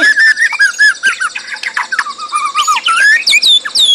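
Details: White-rumped shama fighter-style singing: clear whistled notes repeated in short wavering series, interspersed with sharp clicks, ending in high looping upslurred whistles.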